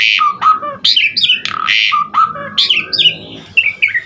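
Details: Asian pied starling singing a lively varied song rich in fill-in notes, as used for training other birds: loud whistled notes jumping between low and high pitch, some sliding down, given in quick irregular bursts.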